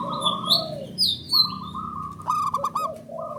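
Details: Repeated coos of a male zebra dove, local Indonesian perkutut, answering one another as a lure: steady trilled cooing phrases, overlapped by bright sliding whistles and a burst of rapid high chirps.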